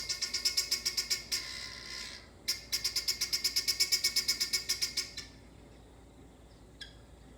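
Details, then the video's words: Guinea fowls in a backyard, coming in for the night and calling before sleep: harsh, grating notes in fast runs of about three per second, two bursts broken by a short pause, then quiet with one faint note. "Guinea fowls Sound Before Sleep"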